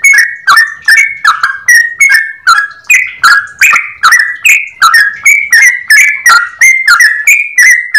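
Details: Yellow-vented bulbul singing a long ropel phrase in a clear voice: an unbroken stream of short bright whistles with clicking onsets, pitches stepping up and down, about three notes per second.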